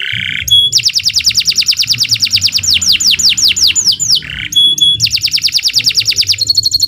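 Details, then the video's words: Canary singing at length as a master recording for tutoring birds: fast buzzy trills of high repeated notes, a series of rapid downward-sweeping slurs, brief whistled notes, then renewed rapid trilling, loud and continuous with only faint low hum behind. "Kicau Burung Kenari II GACOR PANJANG Cocok untuk Masteran"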